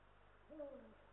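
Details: Single short call from a Eurasian eagle-owl at a nest in Estonia shared by a male and female, recorded by nest camera on 18 March 2022: a flat, then gently falling harmonic note lasting under half a second, over hum.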